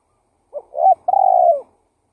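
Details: Single lure-call phrase of a spotted dove in active calling: two short soft notes, a brief gap, then a long even coo that drops slightly at its close, in silence.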